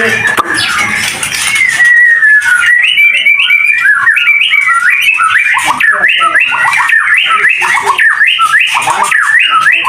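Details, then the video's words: Captive white-rumped shama of a champion bloodline, split panda variety, at a bird breeding farm in Curug, Tangerang, Indonesia; a gliding opening whistle, then fast runs of repeated rising-and-falling whistled notes, with a man talking early on. "MURAI BATU TRAH PRESTASI SPLIT PANDA KALI-KALI AJA ADA YANG MELIRIK"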